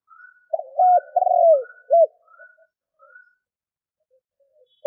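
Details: Spotted dove used as a decoy to draw in wild doves: a single low four-note coo, its long third note sliding downward, then faint short higher whistles.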